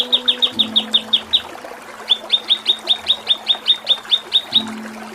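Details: Kinoi masteran song for training songbirds: two long series of clear, sharp, downslurred whistled chips, roughly six per second, separated by a brief pause, over a steady low hum.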